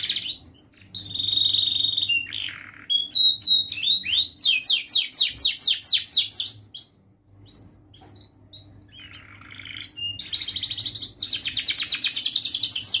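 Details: Young canary practising its song arrangement, a master recording for young birds to copy; varied phrases of sustained whistles, fast pulsing trills of rising sweeps, pauses, and a buzzy rolling finale.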